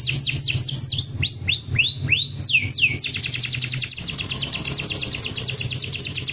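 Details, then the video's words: Champion canary used as a master singer: several slow swooping whistled notes rising and falling, then a sudden switch to a fast, even rolling trill of high repeated notes. A low hum runs underneath throughout. "MASTERAN KENARI JUARA"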